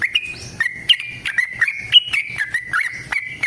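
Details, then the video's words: Short stretch of a yellow-vented bulbul's long trilling song used to provoke caged birds: smooth, sustained whistles stepping between nearby pitches, each followed by a sharp click. "TRUCUKAN GACOR TARUNG ROPEL PANJANG Pancingan trucukan Agar Bunyi Jadikan Burung Trucuk Gacor Nyaut"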